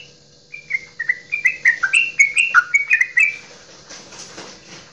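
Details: Straw-headed bulbul from Java in loud goklikan style, sung to prompt other kept birds to sing. After a short pause a bubbling run of quick liquid whistles rises and dips for about three seconds, then fades into soft background noise.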